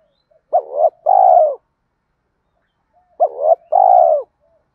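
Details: Spotted dove call played to stimulate training birds; two identical phrases about three seconds apart, each a brief bent coo then a longer, level, falling-ended coo, clean with no background sounds.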